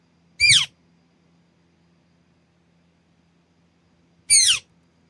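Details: A green ringneck (rose-ringed) parakeet, a pet greeted 'good morning' while eating, gives two loud, harsh, downward-sliding screeches about four seconds apart, with a faint low hum between them.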